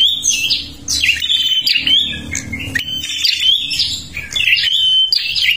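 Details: Lure song of a Kalimantan prinia in full, lively voice: bursts of high twittering phrases with downslurred and level whistled notes, separated by short pauses, sung without other clear background sounds.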